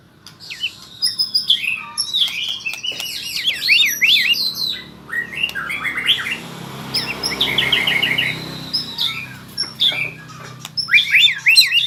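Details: White-rumped shama practising its song, learning rolling trills: bursts of rapid zigzag whistled notes repeated in quick series, with pauses between phrases over a soft, steady background rumble.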